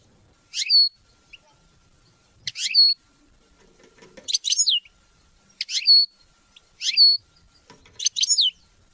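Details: A European goldfinch repeats a short buzzy, tinkling phrase ending in a downslurred whistle, roughly every one and a half seconds, six times over, heard in recordings to motivate hunting and mating.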